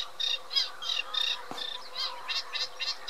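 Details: Eurasian reed warbler delivering fast, rasping chatter of short grating notes at an uneven rhythm, with a faint click partway through and a constant low hum underneath.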